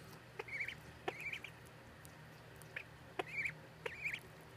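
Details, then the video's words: Duckling peeps, high and arched with a slight warble, coming in pairs and singles at irregular gaps, some faint clicks between, steady low hum behind. "The Baby Ducky Peeps"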